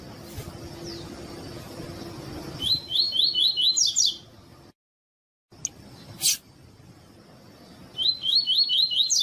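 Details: Female coleiro chirping persistently to excite males into singing; two bursts of five or six short high upslurred notes with buzzy overtones, split by a stretch of silence and a sharp click, over a faint steady high tone.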